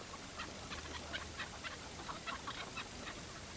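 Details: A chukar partridge tethered for hunting repeats quick rhythmic clucking notes, evenly spaced about twice a second, against a low steady rumble.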